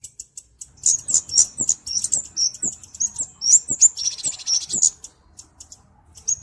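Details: Kemade flowerpecker song used for training and luring birds: high, thin chipping notes in loose, uneven bursts, with a short buzzy stretch midway and brief pauses between phrases.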